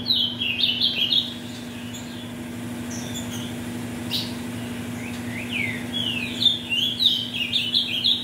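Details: Ultramarine grosbeak, a captive bird bred from mutation parents, sings to warm up birds for song tournaments. Fast warbled phrases of high, sliding notes, with a gap mid-clip before they resume, over a steady low hum.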